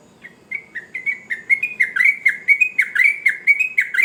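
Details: Sooty-headed bulbul in lively, energetic song. It fades in, then gives a fast run of about fourteen short, bright, chirpy notes, each a quick dipping whistle, repeated roughly four times a second.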